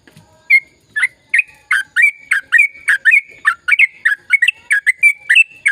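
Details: Sooty-headed bulbul in lively gacor song with long rapid ropel phrases, played to stimulate silent bulbuls to sing: a steady run of loud, sharp, bubbly whistled notes, about three per second, each dipping and rising.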